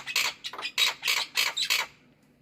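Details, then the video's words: Black-winged myna, kept as a pet bird, calling in the morning: six loud, harsh, broadband scratchy bursts in quick succession over about two seconds, then quiet. "BURUNG JAPUT KU GACOR BANGET"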